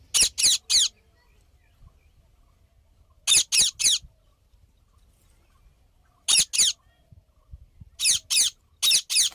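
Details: Parrot uttering short, scratchy squawks in quick triplets and pairs, each group set apart by about two seconds of near silence.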